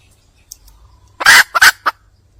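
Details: Wild red junglefowl hen calling for a male: after a quiet start, a loud harsh squawking burst followed by two shorter raspy notes and a final brief call, all within about a second.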